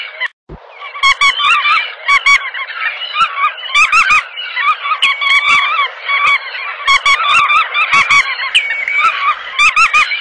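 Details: Bar-tailed godwits in a continuous chorus of nasal, clipped calls from many birds at once, overlapping yelping notes in a steady babble.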